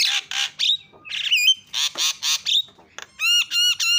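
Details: Starling calls meant to provoke silent starlings: coarse squawked bursts and a sharp whistled note, ending in four nasal, strongly ringing calls in a row.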